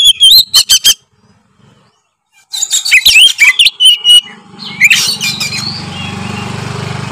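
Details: Oriental magpie-robin singing in the loud 'gacor ngeplong' style meant to provoke rival birds: a quick run of sharp chips, then a varied stream of clear whistled and scratchy notes; a low steady hum enters near the end.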